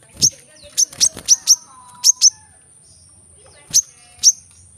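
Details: Brown-throated sunbird (kolibri kelapa) calling in the dense 'tembakan rapat' style kept to rouse silent birds: a cluster of piercing high chips, then a pause and two more isolated chips, with a soft thin whistle in the background.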